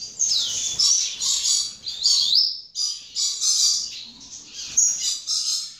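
A young double-collared seedeater sings loose, high, scratchy chirps and twitters in uneven bursts, with a few soft lower whistled notes between phrases.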